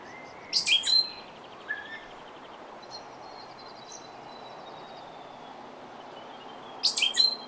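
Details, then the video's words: New Zealand stitchbird (hihi) giving two sharp, high, chattering bursts about six seconds apart, with a brief lower note and faint thin whistles between them over soft background hiss. "Stitchbird - Several Calls"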